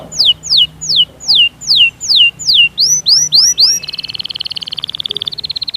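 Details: Singing European goldfinch: loud, regularly repeated downward-sweeping whistles, then upward-curving notes, then a fast, buzzy, rattling trill that runs to the end.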